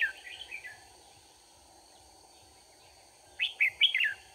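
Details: Red-whiskered bulbul heard during trapping with a decoy bird on 4 March 2019: a short warbled phrase at the start, then after a pause a louder burst of three or four slurred, bubbling whistled notes near the end, over a steady high electronic hum.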